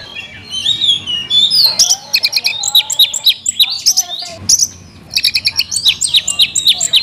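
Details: Oriental magpie-robin kept in a cage, singing trilled whistles, then rapid stuttering chirps repeated several times a second in two loud bursts, with a low whistle beneath.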